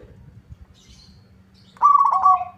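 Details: Local zebra dove in full song, answering a rival: after nearly two seconds of quiet murmuring background, one rolling, trilled coo phrase that drops to a lower held note, with a steady low hum throughout.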